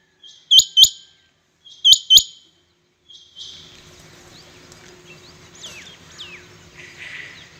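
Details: Rain quail, known locally as chingha batair, calling in competition between birds: two loud, high, sharp double notes, each pair a quick clipped whistle repeated about a second apart, then quieter background with faint distant chirps and low hum.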